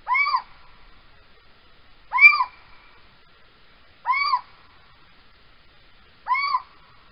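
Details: A Little Owl calling at night in Holten on 3 March 2020 around 03:16 gives four plaintive, mewing 'kiew' notes that rise and then fall, each about every two seconds, against a quiet background.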